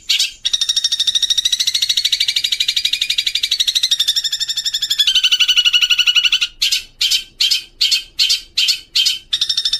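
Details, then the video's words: Long-tailed shrike, known locally as cendet, singing masteran training song with fill-ins of house sparrow and kuntilanak sounds: a sustained rasping, rapidly pulsed trill that slides downward, then a run of evenly spaced harsh chirps. "Burung Gereja Vs Kuntilanak. Masteran Cendet 60 Menit Nonstop"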